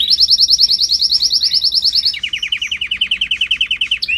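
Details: Canary training song with loud, crisp, rapid trills: a high series of repeated notes for two seconds, then a lower, slightly slower rolling tour of even pulses.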